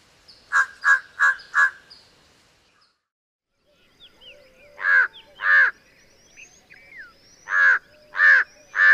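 Large-billed Crow giving hoarse, harsh caws: a quick run of four, a pause, then further caws in twos and threes, with faint thin chirps from other birds behind.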